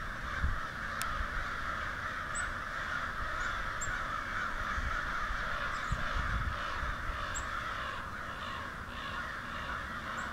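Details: Disturbed murder of crows with a few ravens in New Hampshire, a dense continuous chorus of overlapping harsh caws with no clear gaps, faint high ticks above and low rumbling background noise.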